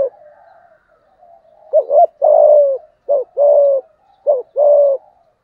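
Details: Spotted dove giving rival-provoking 'giọng thổ' coos: three quick phrases, each a short two-part hoot followed by a held low coo, after a soft faint cooing start.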